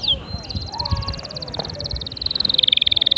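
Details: Canary song used to stimulate other canaries to sing: a long rapid trill held steady high up, becoming louder and more sharply pulsed near the end, with faint low background noise throughout.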